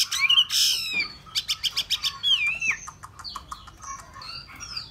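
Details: Hwamei gives loud whistled phrases mixed with a series of quick, sharp clicking notes repeated about every quarter second, then softer whistles.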